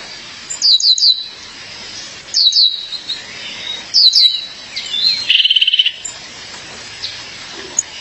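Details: Female violaceous euphonia calling her mate: three quick clusters of sharp descending chirps about every one and a half seconds, followed by a fast rattling buzzy trill.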